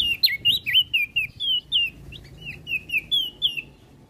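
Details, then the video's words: Olive-backed tailorbird song meant to prompt and teach songbirds: a rapid series of wavering high whistles that slowly grows softer toward the end. "Burung Prenjak Daun Gacor"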